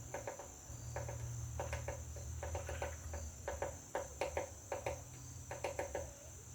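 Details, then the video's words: Woodpecker pecking at a butterfly house: sharp wooden knocks in quick bursts of two to four taps, bursts repeating irregularly about every half second to second, over a steady high hiss and low rumble. "Woodpecker pecking butterflies house"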